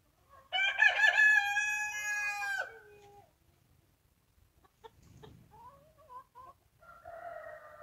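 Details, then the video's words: A rooster gives a long, raspy crow of over two seconds, then quieter clucking notes and faint background noise follow. "Gjeli duke këndu(rooster crowing)"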